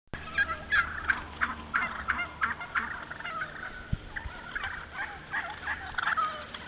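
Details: Wild turkeys in a thinned hardwood stand in Moore County, North Carolina, managed as open hardwood-savanna habitat. Several overlapping calls cluster around the mid range, irregular raspy notes and yelps, with a low background hum.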